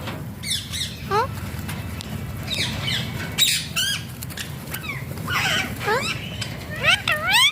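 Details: Alexandrine parakeet (pahaadi tota) producing funny talking sounds: scattered sharp rising and falling harmonic notes and slurred voice-like phrases, irregularly spaced, some loud and clear, over a faint low hum.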